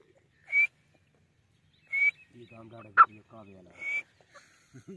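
A female grey francolin gives short, high whistled notes about every one and a half seconds, with a sharper loud note and low murmuring voices underneath.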